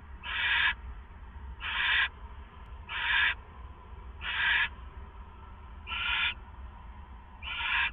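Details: At 4:49 AM on April 27, 2014, an owl at the Hideout, home to a pair, gives raspy hissing screeches. Six evenly spaced bursts, each under half a second, come roughly every 1.3 seconds over faint hum.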